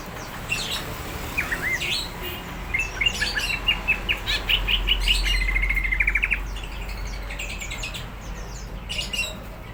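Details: Greater green leafbird singing energetically, said to be ready to fight; varied whistles and chirps build into a fast run of repeated short notes midway, then taper off.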